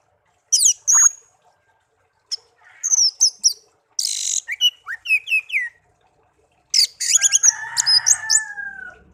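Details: Hand-reared songbird kept as a pet for a year sings scattered phrases of high chips, downward-slurred whistles and a short buzzy burst, ending in mixed chattering over a low whistle.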